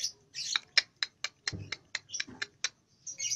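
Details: About two months old, a young lovebird learning ngekek in nyeklek style gives a string of sharp, evenly spaced clicking chips, roughly four per second, framed by short chattery squeaks.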